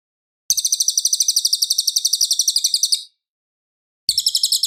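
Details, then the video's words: Cililin in full, clear, loud song, a master recording for tutoring white-rumped shamas: a rapid run of high chirps lasting about two and a half seconds, a pause of one second, then a second trill begins. Background silent. "MASTERAN MURAI BATU - suara Cililin Gacor jernih keras berjeda 10 detik"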